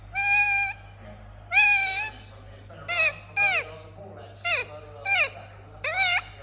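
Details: Indian ringneck parakeet kept as a pet: two long, level squawks, then a quicker run of shorter calls that rise sharply and fall away, all rich in harsh overtones, over a low electrical hum.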